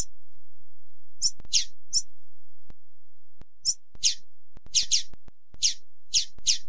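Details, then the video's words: Female double-collared seedeater calls used to excite and rouse males: short, very high chirps and thin descending squeaks, given singly or in quick pairs and triplets at irregular intervals, over a low background hum. "CANTO PARA ESQUENTAR COLEIRO,piado para FOGUEAR coleiro,MELHOR PIADO DE FÊMEA-FEMEA PIADEIRA"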